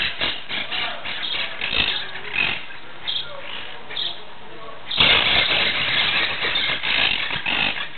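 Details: Monk parakeets (Myiopsitta monachus), recorded 17 July 2008, give harsh, grating squawks in rapid overlapping bursts that swell into a louder chorus halfway through, with a faint engine-like rumble underneath.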